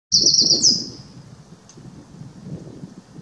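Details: A Eurasian wren (Troglodytes troglodytes), recorded 10 May 2019, gives a burst of very high, rapid, rattling trill notes lasting under a second over a steady low rushing rumble.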